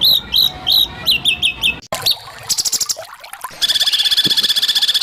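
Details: Masteran of White-rumped shama 'tembakan kasar' song for training and provoking caged birds: a run of high whistled notes, then an abrupt splice into clicking chatter and a fast, even, rattling trill of very high notes.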